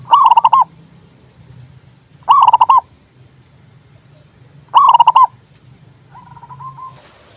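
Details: Zebra dove song for getting silent doves to sing: three emphatic trilled cooing bursts about two and a half seconds apart, a fainter repeated coo answering afterward, and a brief hiss at the close.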